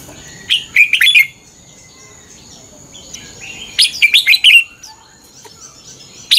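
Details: Red-whiskered bulbul giving fighting song in a morning training recording: two bursts of quick warbled whistles, the second fuller and falling, separated by a quiet stretch with faint high chirps.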